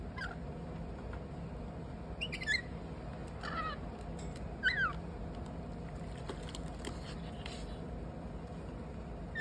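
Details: A pet lorikeet playing in its bathtub gives a few short, squeaky chirps a second or so apart over steady low background noise and soft splashing.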